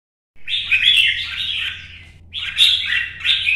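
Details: Red-whiskered bulbul in competition singing, hopping along its perch: rich warbled phrases in two bursts, fluty and rolling, the first long, the second after a short pause, with a faint low hum underneath.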